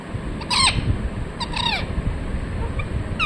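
Three short, shrill, arching parakeet calls, roughly a second apart, over a steady low rumble and faint hiss.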